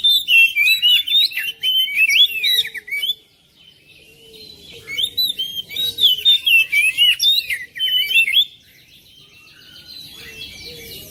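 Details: Oriental magpie-robin song used as a prompt for a quiet magpie-robin in a home setting. Two long bursts of rich, fast whistles, trills and chirps, separated by a few quiet seconds.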